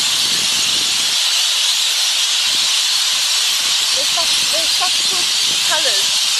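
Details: A flock of lorikeets squabbling for a perch at sunset and flying fast makes a dense, continuous wall of shrill, hissing screeches. A few short chirps and people's voices come through near the end.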